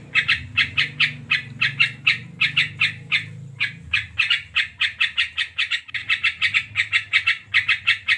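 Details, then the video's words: Sooty-headed bulbul, called krucukan or manuk kocuk locally, singing nonstop: a fast, steady run of short scratchy chirps, about four each second, with brief gaps near four and six seconds over a faint low hum. "Burung Krucukan ( MANUK KOCUK ) Gacor"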